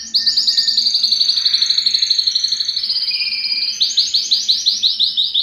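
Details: Yellow canary holding a long, even, rapid trill of high notes, then switching to slower, fuller rolling phrases near the end.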